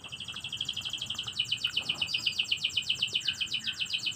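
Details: Canary singing in the morning: a rapid, steady trill of high, clear repeated notes, about four per second, in a long unbroken roll with faint background noise.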